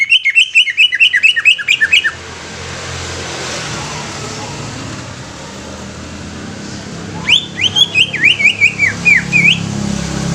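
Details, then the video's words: Greater green leafbird giving two bursts of rapid, chattering whistled song, each of about ten quick, up-and-down notes, separated by five seconds of quiet hissing background noise. "SUARA ASLI CUCAK IJO"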